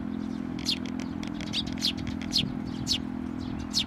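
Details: Sparrow chicks being fed at a Tenmangu shrine, 22 May 2024, with adults coming for food; rapid, uneven run of high, thin chirps and squeaks over a steady low engine-like hum.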